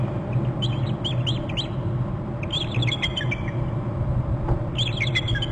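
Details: Bald eagles at their nest territory on Hornby Island, both adults calling: high, thin chittering and piping notes in three quick bursts, each a run of short descending chirps, over a steady low rumble.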